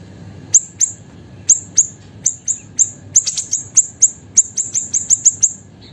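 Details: Small, actively singing siri-siri bird, kept as a cage bird and used as a master recording for training songbirds: sharp, very high chips, single or in quick pairs and clusters, about eighteen in six seconds, over a low background hum.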